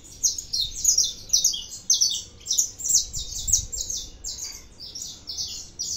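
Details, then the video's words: Saffron finch repeating high, clipped chirps in uneven bursts, about two per second, loudest in the first half, then trailing into softer chatter. "canário da terra 315 cantando muito"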